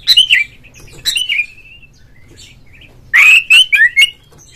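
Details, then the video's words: Oriental magpie-robin in loud singing form, played so other magpie-robins join in: slurred descending whistles, a quiet gap, then a very loud burst of harsh notes followed by rising and falling whistles. "suara panggilan Kacer NGEPLONG nge-play Ngobra GACOR bikin semua JENIS BURUNG KACER ikut GACOR"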